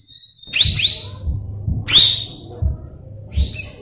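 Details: Cucak rawis song played as a lure to train young birds: sharp, bright whistled notes sliding down, given in quick pairs and singles, over a low steady hum.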